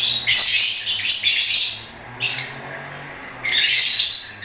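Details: Lovebirds in breeding season give squeaky, buzzy chattering phrases, then a quieter lull before a loud burst resumes near the end; a low hum underlies everything.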